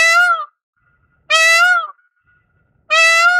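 An Indian peafowl gives three loud, brassy, wailing calls, each about half a second long and repeated roughly every one and a half seconds, with silence between.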